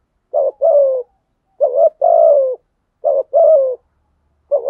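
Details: Decoy spotted dove cooing to provoke fighting; three full two-note coos and the start of a fourth, spaced about 1.3 seconds, each a short rising note and a longer downward-sliding coo, no other sounds.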